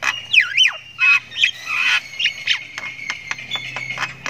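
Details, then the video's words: Young Javan myna learning its calls, ngriwik style: swooping whistled notes sliding up and down, a buzzy rasp, then a train of dry clicks over a thin steady tone. "Anakan Jalak Kebo Ngriwik Panjang"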